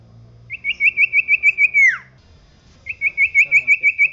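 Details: Common iora song, from a training recording for caged birds, described as singing persistently: a rapid trill of about ten sharp whistled notes, then a long downward-slurred whistle, a pause, and another fast trill.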